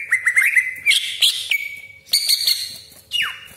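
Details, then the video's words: Greater green leafbird lure song with sharp 'tembakan' and rough 'besetan' phrases: a fluttering warble, a long steady whistle, then bright chattering notes and a final steep downward sweep. "CUCAK IJO GACOR DOR TEMBAKAN TAJAM BESETAN KASAR ROLL PANJANG FULL ISIAN"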